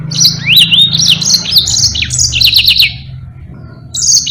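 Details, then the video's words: Long, energetic Yellow-fronted canary song used to train other birds: chains of quick high chips linked by sliding whistles, stepping downward over three seconds, a pause, then another bright phrase begins over faint hum. "Burung Mozambique GACOR NGEROL PANJANG sangat Jitu buat masteran"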